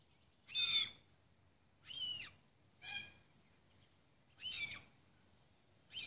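Red-tailed Black Cockatoo giving five harsh, grating, slightly rolling screeches, one about every second and a half, over a faint, quiet background.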